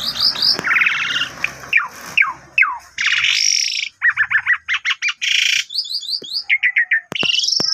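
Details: Asian pied starling singing hard, lure audio meant to stir less active birds into song, with canary phrases; buzzy trilled segments, downward slurs and fast clipped chirps alternate over some low background rumble.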